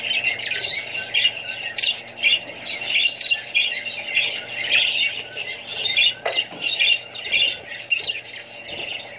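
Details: Australian budgerigars kept among other birds and young ones give steady high chattering warbles, chirps and harsh squawks that overlap continuously, with a brief lower sweep near the end.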